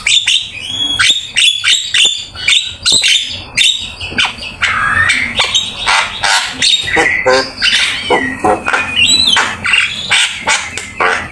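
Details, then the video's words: Javan myna master song for training songbirds: a dense run of sharp clicks and rattles, then scratchy squawks mixed with brief rising whistles, phrases rising and falling in loudness. "Suara jalak kebo gacor !! Full isian ,masteran asik"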